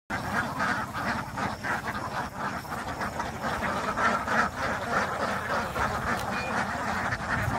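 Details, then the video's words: A large flock of ducks quacks continuously, with overlapping nasal quacks at a fast, irregular pace of about three per second forming a dense chorus. "ducks quacking"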